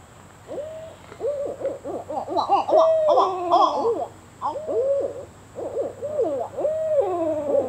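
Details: Juvenile barred owls learning to call: several young birds trade wavering, sliding hoots and quavering notes that overlap and tumble together, with irregular bursts and brief pauses, against a faint steady background hum.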